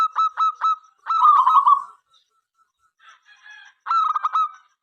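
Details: Local zebra dove song meant to invite other doves to sing: a few staccato coo notes leading into a rolling burry trill, a soft quieter passage, then another pulsed phrase.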